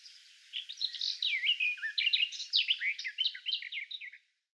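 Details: Garden Warbler song from Russian forest edges: a fast, rich, bubbling warble of looping whistled and scratchy notes that runs continuously for about three and a half seconds, then stops abruptly. No other sounds are heard.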